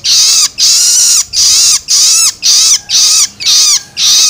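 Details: Juvenile long-tailed shrike begging, played to stimulate adult birds: loud harsh rasping screeches about half a second long, repeated steadily almost twice per second with brief gaps.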